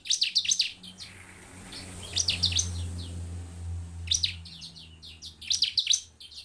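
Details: Bar-winged prinia (ciblek) song meant to stimulate other birds to sing: clusters of sharp, high, fast chirps at intervals, with a steady low hum throughout.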